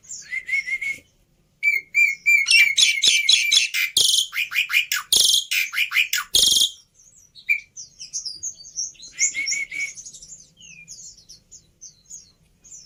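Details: Black-winged myna singing a varied, imitable lure and training song: steady whistles, rapid rattling notes, loud harsh chatter bursts, then softer high twittering with a return of the whistle.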